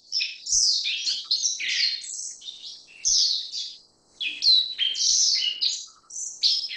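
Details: Continuous sharp, high twittering from a Black-faced bunting, Emberiza spodocephala: bright chirps and descending buzzy slurs come in clusters. A short quieter gap falls around the middle. Occasional faint low taps are heard.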